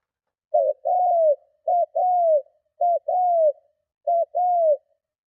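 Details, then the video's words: Spotted dove cooing forcefully to lure and provoke other doves: four phrases, each a short clipped note and a longer falling coo, repeated roughly every second and a quarter, steady and clean with no other sounds. "Tiếng Chim Cu Gáy Gù Kích Bổi Cực Mạnh"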